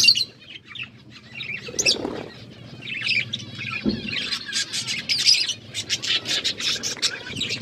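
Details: Pet budgies busy eating and playing with food give rapid high chirps and twittering. The calls are sparse at first, then run into a dense, choppy stream of short notes over a faint background hum.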